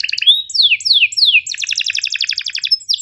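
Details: Canary tutor song with sharp calls and rolls, for canaries that rarely sing and young birds learning: several long downward-swept whistles followed by a rapid, regular pulsed trill.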